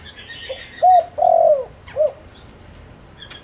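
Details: Low cooing phrase from a spotted dove lure bird meant to provoke wild doves: short note, rising-falling coo, long trembling coo sliding downward, then a brief coo, with faint chirps in the background.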